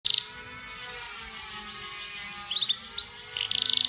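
A canary sings bursts of rapid, high, rattling trills at the start and end, with a few quick sweeping chirps between and soft hiss in the pauses.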